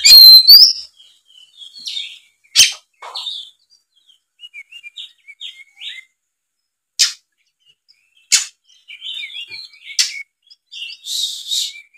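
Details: Oriental magpie-robin in fighting mode, heard as a lure for silent magpie-robins. An opening loud whistled flourish leads to scattered sharp clicks and short warbled and twittered phrases with long quiet gaps. A brief buzzy burst comes near the end.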